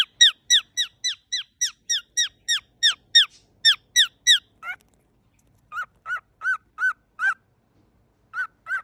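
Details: A cockatiel recorded up close gives a rapid run of sharp, harmonic squeaks, then slower, lower honking notes.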